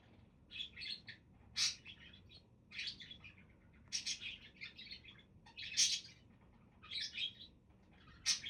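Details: Lively budgerigar chatter, bright squeaky chirps and grating warbles arriving in repeated bursts about every second, some shrill peaks, low hum behind.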